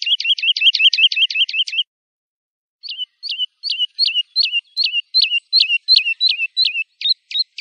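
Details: Lark song for training young birds: a rapid rattling string of bright chirps, a short silence, then a measured series of hooked whistled notes repeated at an even pace.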